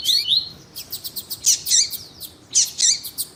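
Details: Double-collared seedeater, a male with a female calling to warm him up, as breeders do before song tournaments; high sharp chips and buzzy downslurred notes, rapid bursts with short pauses, quiet background.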